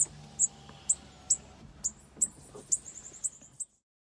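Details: Bananaquit at a campeada, repeated very high, sharp notes about once a second that quicken into a brief rapid twitter before stopping, over low background hum.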